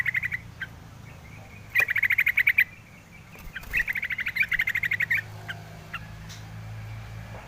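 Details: Yellow-vented bulbul calling: two bursts of rapid, even chattering notes at a steady mid-high pitch, roughly eight per second, joined by a few thin isolated notes, over a low background rumble.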